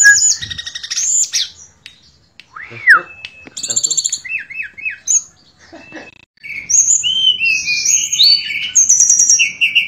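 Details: Shortwing known locally as tledekan pring in lively 'nembak' and 'ngerol' song: varied phrases separated by pauses, including a looping rise-and-fall whistle, short repeated pulsed notes and a dense closing run of high whistles.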